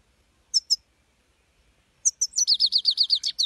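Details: European goldfinch song: two high chirps, a short silence, then a brisk twittering run of repeated sliding notes at a steady fast pace.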